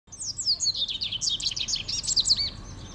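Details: Small bird singing at sunrise in the morning in Mendoza: a lively, continuous run of high, varied twittering and chirping notes, rapid and jumbled, with low rumbling background noise.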